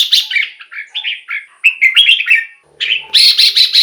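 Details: Song of a red-whiskered bulbul, meant to stir caged birds or attract wild ones: a continuous string of short warbled, whistled notes, a brief gap, then a loud rapid chattering burst.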